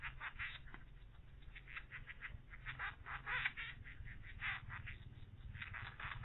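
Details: Grown woodpecker young begging as a parent, almost overwhelmed, feeds them: rapid, harsh, nasal calls in irregular bursts, roughly fifteen in six seconds, some louder and clustered, over a steady low hum.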